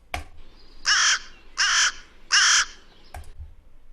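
Three harsh, hoarse caws from a carrion crow, each about a third of a second long, spaced roughly every seven-tenths of a second, with faint clicks around them.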